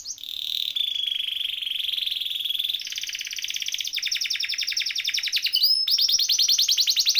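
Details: Canary song used for training birds: a continuous rolling trill, first steady and buzzy, then changing into faster pulsed trills of varying pitch across the whole phrase.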